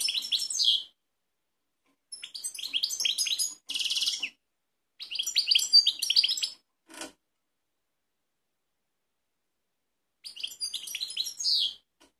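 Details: European goldfinch of the Balkanika type recorded in Kumanovo, Macedonia, 16.03.2018, delivering several short bursts of fast, bright twittering and buzzy trills separated by silent gaps, with one sharp click in between.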